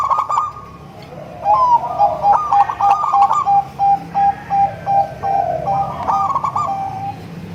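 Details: Sweet-voiced local Bangkok-cross zebra dove singing to lure other zebra doves: a rolling trilled coo followed by a long series of short, evenly spaced notes roughly every third of a second, closing with another trill.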